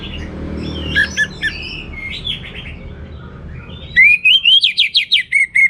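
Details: Anis merah (orange-headed thrush) song in the abundant-material 'teler' style: soft scattered twitters, then a loud run of about ten rising, rapidly repeated whistled notes that settle into a level tone.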